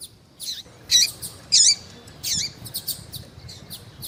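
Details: Female double-collared seedeater calling in heat to stimulate a male: scattered short, high chirps and buzzy notes with downward-sweeping tails, a few louder bursts among fainter ticks.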